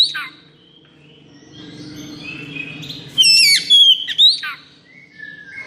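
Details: Oriental magpie-robin (kacer) in high breeding condition sings a brief cluster of sharp whistles and slurred notes over a steady low background hum. Faint whistles follow.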